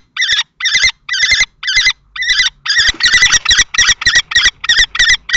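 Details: Common kestrel males dispute a nest box at Théding, 20 March 2024. Spaced, harsh high notes speed up halfway into a denser, quicker series of strident cries.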